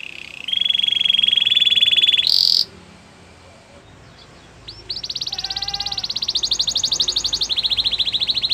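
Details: Belgian canary singing to train a silent canary, with faint background hiss: a steady pulsed trill, a short higher burst, a quiet gap, then a long bright rapid trill stepping up and back down.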